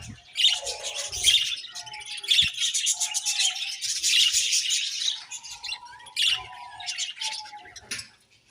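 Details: Budgerigars chirping: lively bursts of high, grating chatter layered over short whistled warbles, with a quiet gap before it ends.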